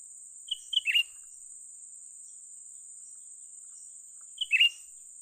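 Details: During an attempt to lure and trap a young cucak ranting bulbul, the bird calls twice roughly three and a half seconds apart, each call clipped whistles ending in a rasping downward note, insects droning steadily.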